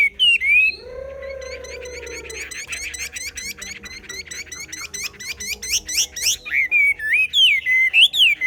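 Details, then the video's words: Chinese hwamei singing in the họa mi xòe style: a rich run of loud whistled phrases, sliding and looping up and down, then rapid repeated sharp notes before closing with fluid warbled whistles. "Họa mi xoè"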